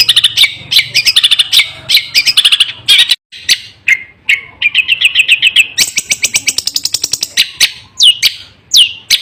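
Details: Long-tailed shrike singing a fierce, unbroken song: rapid chattering bursts and trilled rattles, then rising buzzy note series and sharp whistled downslurs near the end, over a faint low hum.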